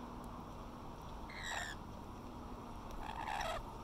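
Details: Rainbow lorikeets at Little Manly, Sydney, Australia, chattering to each other while eating grapes: two short, harsh, squawking notes about two seconds apart over a quiet, hissy background.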